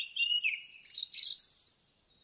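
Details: Indigo bunting in a forest, a song phrase that starts with paired mid-pitched notes sliding downward, then jumps to a higher, buzzy, rising-and-falling slur that fades out.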